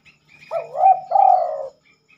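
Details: Spotted dove cooing at night, which it rarely does: a single low phrase made of a wavering, looping first coo and a drawn-out, slightly falling purr, with faint higher chirps in the background.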